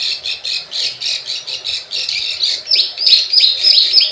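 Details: Plain prinia call used as a lure to attract wild birds: rapid, scratchy clicking notes repeated about three times a second, shifting to higher, sharper squeaky chirps in the second half.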